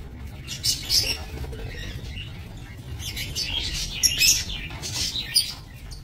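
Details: Lovebirds kept for breeding in an aviary, recorded 22 November 2024: scattered shrill, high chirps and squeaky tweets come in short clusters, loudest near the start and again toward the end, over a steady low hum.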